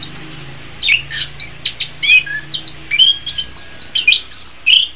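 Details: Song of an orange-headed thrush, kept as a master track for tutoring other songbirds in the morning or afternoon. Bright, varied bursts of high chirps and sweeping whistles come in quick succession with very short gaps.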